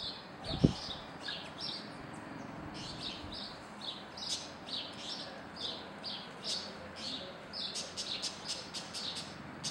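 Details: White-banded mockingbird (Calandria Real), a highly vocal mimic; a run of short, repeated chirping notes, faint and rhythmic, with a sharp click near the start and low rumbling background noise.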